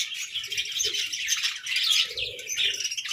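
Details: Pet budgerigars chirping while squabbling over food, a dense continuous chatter of many overlapping high twittering and warbling notes with no pauses.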